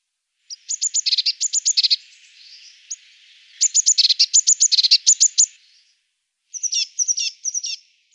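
Eurasian blue tit giving rapid, high, thin notes in fast chattering bursts, followed by a few sharper downslurred calls.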